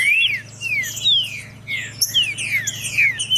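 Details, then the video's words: Warm-up song of a green-winged saltator for cold birds: several clean, falling whistled slurs in quick order, backed by higher faint chirping and a low constant hum. "TRINCA FERRO ( PROFESSOR ) PARA ESQUENTAR TRINCA FERRO frio COM TRINCA FERRO CANTANDO"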